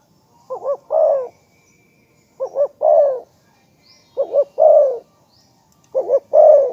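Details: Spotted dove repeating a three-part coo: two quick bouncing looped notes and a fuller, husky coo, each phrase about every one and a half seconds. A faint chirp is heard in between.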